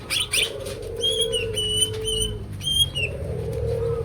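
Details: Greater green leafbird song: a run of sharp, ringing whistled notes in short repeated phrases, with a continuous low cooing drone underneath.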